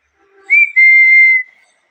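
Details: A single loud parrot whistle: a short rising onset, a brief break, then a long, flat, pure tone that fades slightly at the end in a quiet room.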